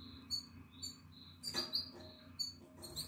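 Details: Nine-day-old Atlantic canary chick in the nest, eyes open and feathers coming in, recorded 14 April 2022: short, faint, high squeaky cheeps in scattered bursts over a low steady hum.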